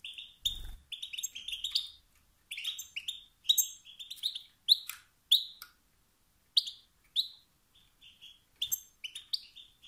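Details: A male European goldfinch's calls, said to ignite competition among males and push them to sing; sharp chirps and short twitter runs, spaced more widely toward the end, a low bump at the start.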